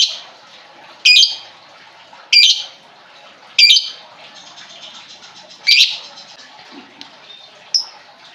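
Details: Lovebird lure sound for a bird that has stopped singing: loud sharp squeaky chirps repeated about every second over a soft background chatter.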